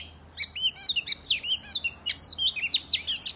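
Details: Oriental magpie-robin fighting song meant to rile other males: a short, loud flurry of downslurred whistles, buzzy notes and quick chirps.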